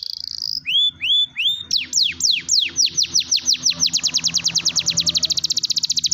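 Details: Canary song meant to get silent canaries singing, opening with a steady high whistle and rising upslurred notes, then a long series of falling strokes accelerating into a fast high trill, with a low hum beneath.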